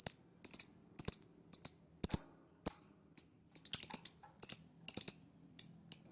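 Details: Captive lovebird lure song for coaxing a quiet bird into singing: piercing, very high chirps given singly, in pairs and in short bursts of three or four, with brief silent gaps between them.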